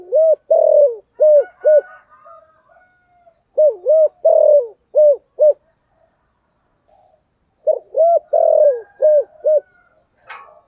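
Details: Spotted dove in the 'thổ sấm' voice style, played daily to lure wild birds into calling: three bursts of five rhythmic, hollow coos, each falling at its end, separated by short pauses, with faint softer background coos.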